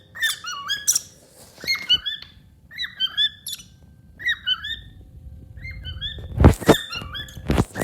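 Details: Happy pet cockatiel singing indoors beside a hiding companion lovebird: short whistled phrases that rise and fall and recur every second or so, ending in a few harsh, broadband squawks.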